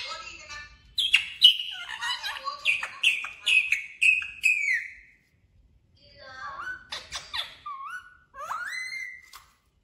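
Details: Pet talking parrot said to speak the words "mummy papa"; a run of loud whistled, voice-like phrases that rise and fall, a short pause, then more chattering notes and upward-sliding whistles.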